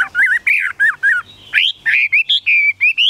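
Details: A caged Chinese hwamei pours out a rapid, varied run of short, rich whistled notes, some rising and some swooping, spaced by brief pauses and growing higher and more ringing toward the end.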